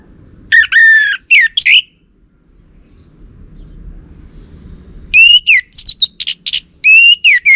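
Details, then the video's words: Orange-headed thrush song used as a lure to make males answer: a short burst of rich, harmonic whistles, a pause, then a longer stretch of rapid, varied whistled notes and high trills. "Ga Bunyi Dengan Pancingan Burung ANIS MERAH Ini dipastikan Itu Burung Betina, Jantan Pasti Nyaut"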